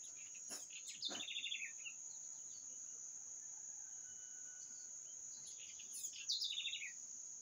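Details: Short twittering bird phrases heard at the beginning and near the end, with a quiet gap between them and an unbroken high-pitched whine behind them.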